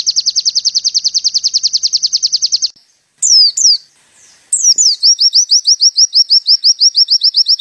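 Oriental white-eye pouring out fast, high chipping notes, about twelve a second, in long runs broken by a few sharp downslurred whistles.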